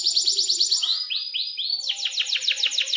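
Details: Canary in breeding condition singing energetically, with long rolls: fast repeated downslurred chirps, a few drawn-out rising notes, then another rapid trill of bright chirps. Used as a model song for young canaries learning to sing.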